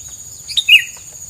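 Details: Brief bird chirp: a quick high note followed by a louder bright slurred note that drops slightly at the end, over a thin constant background hiss.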